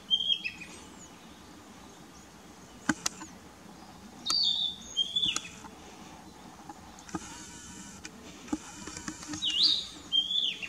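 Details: Narcissus flycatcher in Mukaiyama Park, Esashi, Oshu, Japan, on 12 May 2017, filmed with a Nikon COOLPIX P900: bursts of high whistled, warbling phrases a few seconds apart, broken by clicks and a whirring mechanical hum midway.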